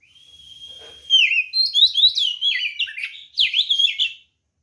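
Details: White-rumped shama in fighting song aimed at provoking other birds: a long steady whistle sliding down, then a burst of fast jumpy whistled notes and chatter.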